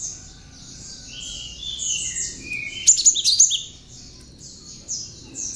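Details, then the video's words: Tame cinereous tit, hand-reared and fond of singing, delivering prinia-like ciblek phrases meant as master song for other birds: soft high twitter, then one loud burst of fast sharp chips near 3 seconds. "BURUNG GELATIK GACOR JINAK ISIAN CIBLEK COCOK BUAT PANCINGAN ATAU MASTERAN BURUNG"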